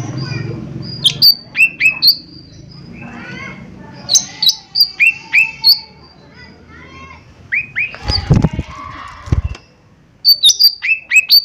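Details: Lesser green leafbird singing to lure other birds into answering. Scattered sharp chirps and down-slurred whistles, varied in pitch, with a short loud crackling noise near the end.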